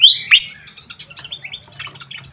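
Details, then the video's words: Brief fantail lure call: two loud high whistled notes at the start, followed by a softer series of short, evenly spaced chirps over a low hum. "suara pikat khas srikatan kipas"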